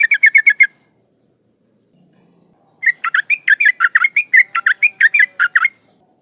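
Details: Female sooty-headed bulbul in breeding condition calling to males: a quick run of sharp chattering chips, a short pause, then a longer stream of varied slurred, bubbly notes, about a dozen in quick succession.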